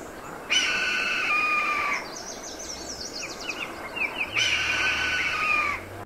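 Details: Red-tailed Hawk giving its iconic screech: two hoarse, drawn-out descending screeches, each about one and a half seconds long and about two seconds apart, with fainter chirping from other birds between them.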